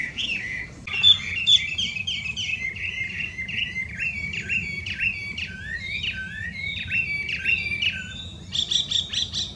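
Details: Loud song of a wild Chinese hwamei, an invasive alien bird in Japan: a long run of rich whistled phrases, rapid repeated notes and slurred up-and-down motifs, with a brighter burst near the end.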